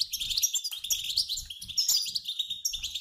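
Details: Mixed-sex group of European goldfinches giving flock twittering used to encourage male song; unbroken high, tinkling, scratchy chatter with sweet whistled slurs and quick trills, light low tapping beneath.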